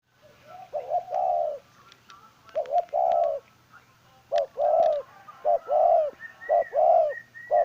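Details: Decoy spotted dove cooing: repeated phrases of short rising notes followed by a longer, lower coo, quickening toward the end, with faint clicks and a thin whistle from another bird in the background.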